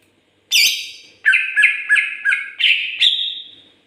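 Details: Greater green leafbird song: a harsh, rich squawk, then a rapid series of about six short, ringing whistled notes, roughly three per second, ending in a drawn-out whistle.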